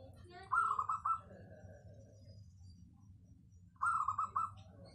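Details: Local zebra dove, a natural-bred bird, giving two stuttering bursts of rapid, clear cooing notes around 0.5 and 3.8 seconds, separated by quiet with a low background hum.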